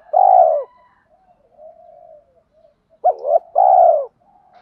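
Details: Spotted dove cooing used to stimulate doves in training, featuring cock and hen birds. A long, hollow coo fades into quiet murmuring, then a quick rising double note leads into another drawn-out mellow coo.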